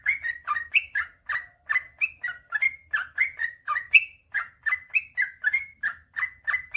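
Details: Sooty-headed bulbul singing a steady chain of liquid, slurred whistles, about three notes a second, some rising and some dipping, played to coax reluctant birds into singing.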